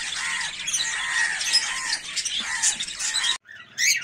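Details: Rosy-faced lovebird (Agapornis roseicollis), chirping.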